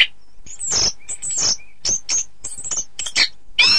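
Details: Orange-headed thrush song used to train contest birds: high scratchy phrases and squeaky whistles with faint low tones between, ending in a loud harsh rasping burst.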